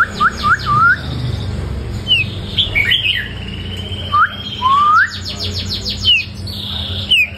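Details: White-rumped shama, short-tailed but a strong singer after one moult season, mixing upward-slurred whistles with bursts of fast buzzy trills and sharp high chips, phrases separated by short pauses.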